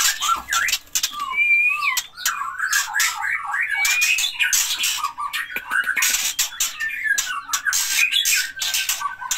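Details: White-rumped shama parents feeding their chicks while protective and alert to danger. The birds come from Gayo Lues forest in Aceh's Leuser mountains. Short whistled and slurred notes are interrupted by frequent loud broadband scratchy bursts.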